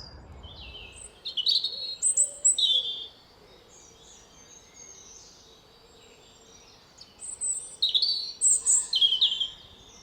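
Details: A European robin sings two high, thin, wavering phrases of tumbling notes, separated by a few seconds' pause, on a cloudy morning in local woodland in late winter before spring, over steady outdoor hiss with a brief low rumble; its melancholic, soulful song.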